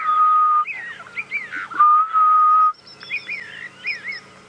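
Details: A grey-headed bushshrike, far in the distance on a misty sunrise at about 6 AM on 6 May 2017, gives a territorial call of two long, level, mournful whistles of about a second each, while other waking birds add quick, chirpy warbles.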